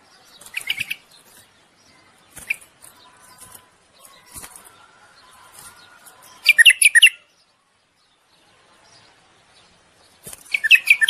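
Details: Common bulbul singing to stimulate a female for mating: faint short chirps, then two loud, liquid warbled phrases of rapid rising and falling notes, roughly four seconds apart.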